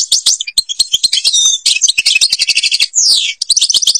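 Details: European goldfinch from Algeria singing a fast, tinkling stream of high twittering notes with rapid trills and a descending buzzy slur near the end, punctuated by sharp clicking sounds throughout.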